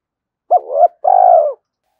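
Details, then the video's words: Lure call of a spotted dove, gáy thúc or gáy gọi style, for rousing decoy birds; one phrase made of a brief fluttering double note and a sustained, gently descending throaty coo, in silence otherwise. "Tiếng chim cu gáy thúc + gáy gọi mở lên kích bổi hiệu quả hàng ngày"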